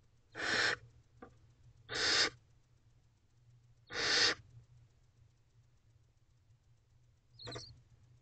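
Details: Barn owl owlets begging in a nest box at 2:32 am in late April while the mother feeds the younger ones; three strong rasping hisses roughly two seconds apart, then a shorter fainter one, over a steady low hum.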